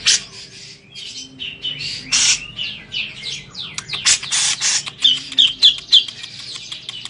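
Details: Grey-cheeked bulbul singing while bathing: harsh bursts, descending slurred notes and scratchy chatter, finishing with a quick series of bright chirps.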